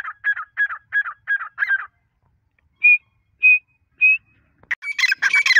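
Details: Female grey francolin: a run of short, buzzy, clipped notes, then three separate clear whistled notes about half a second apart, ending in a loud harsh chattering burst.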